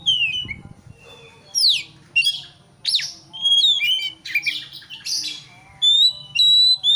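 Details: Agitated Oriental magpie-robin song used to goad a rival: steep downslurred whistles, rasping chattery bursts and clear level whistled notes in short phrases with brief pauses, over a low background hum.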